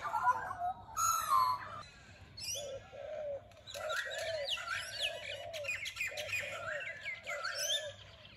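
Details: Early morning bird chorus in a suburban street in Australia, with Australian magpie, grey and Indian mynas, turtle doves and crows: overlapping warbled carols, harsh chattering and squeaky notes, with a low hum beneath.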